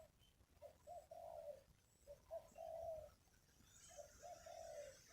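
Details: Faint cooing from a wild spotted dove at a ground decoy site: soft hoarse phrases of short notes and longer drawn coos over a hissy background.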